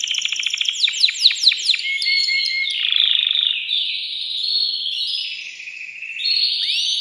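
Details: Male canary in a cage, worked up and singing to rouse a female to mate: opens with quick downward-sweeping chips repeated about five times, then flows into long, dense, rolling trills held at a high, steady pitch.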